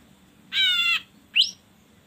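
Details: Ashy drongo lure recording meant to prompt birds to sing: a nasal, buzzy note with stacked harmonics lasting half a second, followed by a short upslurred whistle.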